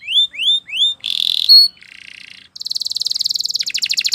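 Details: Spanish Timbrado canary training song: three rising whistled notes, then a buzzy trill, a short low rattle, and a long rapid metallic trill that shifts pitch partway through, all from one steady singer.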